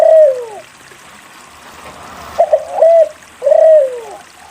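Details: Spotted dove singing as a lure for doves that will not sing. It begins with a long falling coo. After a pause come quick short notes, a steady coo, and another drawn-out descending coo.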